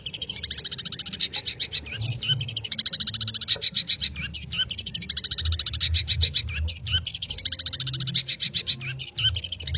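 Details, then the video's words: Long-tailed shrike in energetic 'konslet' mode, pouring out long, almost continuous strings of fast rattling, buzzy notes at high pitch, with a few brief breaks between dense bursts. "Cendet konslet gacor speed rapat"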